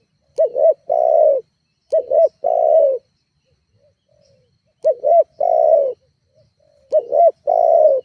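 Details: Lure recording of a spotted dove, intended to agitate rival doves. Phrases of two brisk hooped notes and a drawn-out descending coo come in pairs, with a pause of about two seconds in between.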